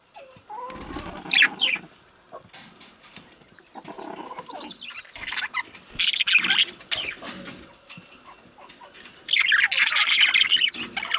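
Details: Male budgerigars chattering in bursts of scratchy, buzzy warbles and quick chirps, loud spells around the first two seconds, mid-clip and near the end, separated by quieter pauses.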